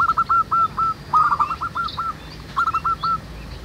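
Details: Several wild local zebra doves cooing in nature, played as a lure for other doves: quieter rolling trilled coos in three short bursts over a soft background hiss.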